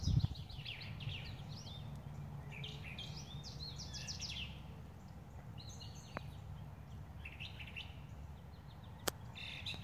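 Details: A Brown thrasher in Missouri sings bursts of varied, chattering and whistled phrases, with short pauses between groups, over a steady low rumble.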